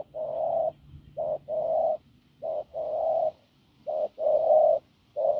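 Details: Spotted dove taken from the fields, hoarse and strong-voiced, cooing: steady low raspy coos, short clipped notes each followed by a longer drawn one, repeating about every second and a half.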